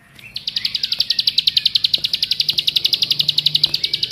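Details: Lure recording of a Bar-winged prinia to make others sing, with rapid, high, metallic chips repeated in one unbroken run of nearly four seconds and soft background ticks.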